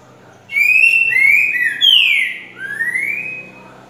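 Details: Green-winged saltator, locally trinca-ferro, in the slow 'grego boca mole com boi' song used for chick song training: four sweet whistled notes, level, falling, then a long rising slur, clean background.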